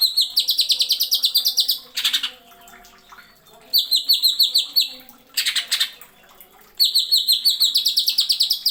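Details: Greater green leafbird, tutor-recording song in the nembak style with sharp fills. Quick chattering trains of bright, high notes arrive in three bursts, broken by two short hissing noise bursts between phrases.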